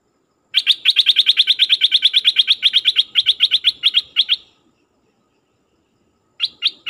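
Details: Decoy dok taeng bird calling wild birds, delivering a fast run of sharp bright chirps, about six per second for nearly four seconds, then a pause of two seconds and three more chirps.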